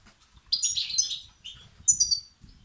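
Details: High twittering from European goldfinch chicks begging, played to arouse males: two dense bursts of sharp, piercing chirps with a faint low rumble underneath.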